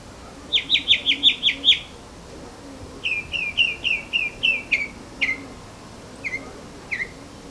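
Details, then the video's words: Morning bird song heard on waking: a fast run of six bright descending whistled notes, then a slower series of slurred whistles, and two single downslurred notes spaced apart, over faint background hum. "Bird Singing"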